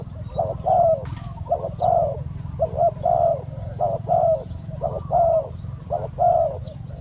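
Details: Live decoy spotted dove and a wild dove being lured in: a steady series of hollow, two-part coos, a short note then a drawn-out one, repeating roughly once a second for seven seconds against a low rumbling background.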